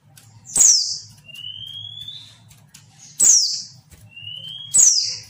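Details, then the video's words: A female pleci, or white-eye, calls to stir males into song. Each call is a piercing downward squeak, then a drawn-out thin whistle that rises gently. Three calls, with a constant low background hum. "PLECI BETINA UNTUK PANCINGAN PLECI MALAS BUNYI"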